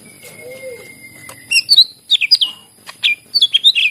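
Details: Greater green leafbird in lively song, used to prompt leafbirds that will not sing: a long steady whistle, then a fast run of bright slurred whistled notes and chirps.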